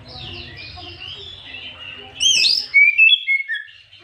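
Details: Oriental magpie-robin in the afternoon, singing as a lure to provoke rivals: soft warbling first, then a loud burst of sweeping whistles and quick descending chirps.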